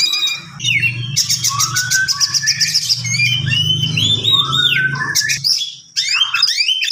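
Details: Kacer, the Oriental magpie-robin, sings a long unbroken tutoring song: varied whistled slurs, rising and falling sweeps and harsh squawky notes run together, with a low droning hum beneath until a brief pause near the end.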